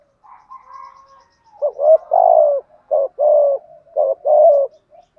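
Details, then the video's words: Spotted dove in the lure style meant to provoke rival doves to coo, a faint soft opening then three paired low hollow coos, each pair a short note followed by a longer one, on a clean quiet background. "tiếng cu gáy giọng thổ gù thúc, chim cu gáy kích bổi hiệu quả, thúc gù dục bổi gáy theo"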